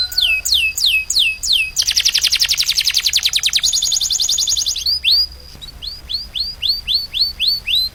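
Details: Canary master song used to train caged birds: rapid high upswept whistles, then a fast dense buzzing trill, then a series of sharp rising-falling whistled notes, loud and continuous.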